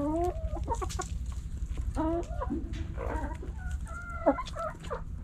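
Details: Backyard chickens, hens and roosters, pecking and scratching; hens give short nasal clucks and stacked cackling notes in quick irregular bursts over a steady low rumble.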